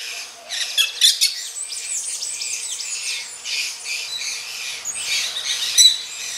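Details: Mating grey-breasted parakeets giving loud, raspy, high chattering calls in quick bursts, some notes sliding downward, several birds calling together against a quiet background.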